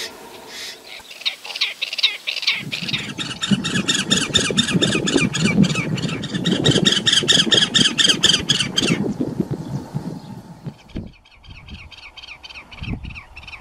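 Great Spotted Cuckoo giving harsh, rapid chattering notes in fast bursts of about two per second, over a low rumble of wind or handling noise.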